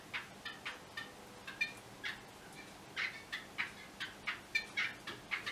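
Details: A Yellow-bellied wattle-eye gives a steady series of rasping, clicking notes, roughly three per second, some with brief squeaky overtones.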